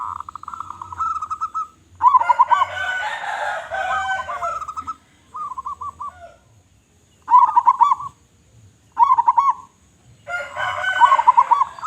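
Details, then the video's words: Big-voiced local zebra dove singing repeatedly: rolling, pulsed cooing phrases come in bursts of one to three seconds. Busy, rich overtones fill some phrases, and there are short silences between them. "Perkutut Lokal Gacor Suara Besar"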